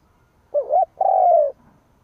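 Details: One full phrase from a spotted dove kept as a decoy for rousing rivals: a rising-and-falling short coo followed by a long, level, hollow coo that sinks at its end.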